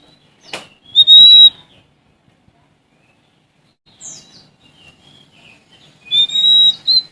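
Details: Oriental magpie-robin from Sumatra singing to confront a rival: a sharp click and a bright whistle, a long silence with faint downslurred notes, then a loud final whistled phrase.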